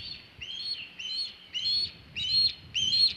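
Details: Osprey at the Hog Island nest with a big shad, around 3:50 pm EDT on 27 August 2019: six fairly faint, high whistled chirps that slur upward, about one every half second, over soft low background noise.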